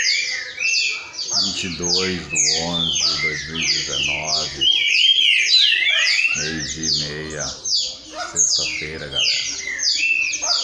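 Several green-winged saltators sing at once, a dense tangle of loud, clear whistled phrases over a man's voice.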